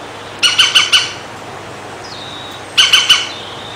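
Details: European green woodpecker, filmed in 2016 from behind a window while drinking and bathing, gives two quick bursts of four harsh, squawking notes about two seconds apart; a faint thin whistle from another bird falls between them.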